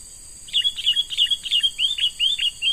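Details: Captured young wild sooty-headed bulbul in lure training, giving a lively series of short, bright chirps and slurred whistles, roughly four notes per second, over a steady high-pitched background hiss.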